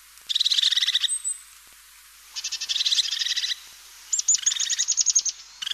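European crested tit singing three short bursts of high, rapid stuttering notes, rolled into a thin purring trill, with brief pauses between phrases.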